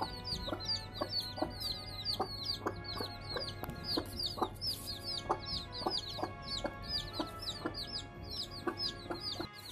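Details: A hen and her hatchling chicks feeding on rice. Continuous high-pitched chick cheeps, each a quick downward slur, overlap with the hen's brief low clucks repeated every half second or so, above a steady background hum.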